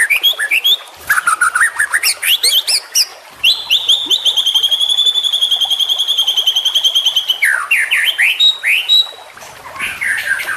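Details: Trotolan-style song of a white-rumped shama, played as a master track for training birds: swooping whistles open into a long, steady, buzzy high trill lasting about four seconds, then more falling whistled notes.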